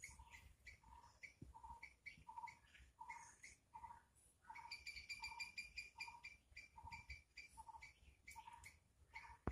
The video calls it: Brown headed barbet